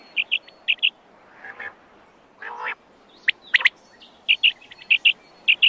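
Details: Wild quail (ligaw na pugo) calling in crisp paired chirps, interrupted by two rough, buzzy rasping bursts and a few sharp clicks before the doubled notes resume steadily.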